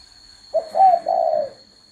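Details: Lone cooing phrase of a spotted dove, low and breathy. A short first note leads into a stronger wavering note and a sustained falling coo, with a steady high background tone.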